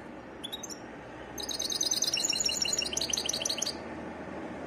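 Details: Varied song of a European goldfinch: an opening pair of sharp high notes, then a rapid, liquid, jingling twitter lasting over two seconds before stopping, with steady background hum.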